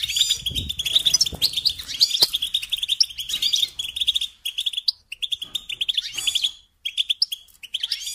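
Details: Continuous goldfinch song played to train young songbirds: dense rippling twitter of high chirps and short trills, briefly broken near five and near seven seconds, with faint low rumbling early on.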